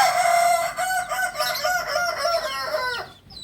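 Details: Loud, unbroken crow of a Kukuak balenggek, the singing chicken breed of Solok in West Sumatra, lasting about three seconds with a wavering, rolling line of syllables before it fades.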